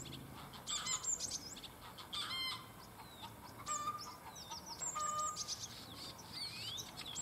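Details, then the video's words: Two male common starlings singing in competition in a cherry tree in Germany pour out a jumbled medley of high slurred whistles, clicks and buzzy rattles, mimicking other birds, chickens and frogs. "The song of the Starlings, perfect imitation of other animals"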